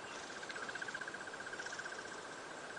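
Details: On a sunrise safari drive on 5 December 2016 at Djuma Game Reserve, South Africa, near a false thorn tree, a robin gives a quiet, rapid trill of short notes on one steady pitch, about fourteen a second, lasting under two seconds against soft hiss.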